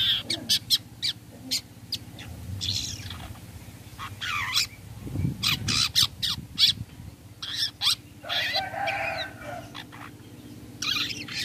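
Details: Long-tailed shrike call used as a lure so other shrikes answer, a busy stream of harsh scratchy notes, quick chips and buzzy rasping phrases, over a low background hum with a brief rumble midway.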